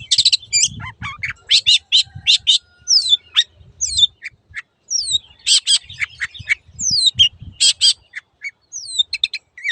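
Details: Long-tailed shrike song as a training master for caged birds: scratchy chattering bursts mixed with clear rising and falling slurred whistles, fast and varied, over faint low thuds.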